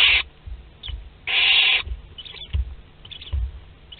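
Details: Harsh barn owl hisses from a nest box at Théding as second-brood chicks hatch on 22 August 2021. Two rasping bursts, the second longer, with faint thin chirps and soft low knocks between.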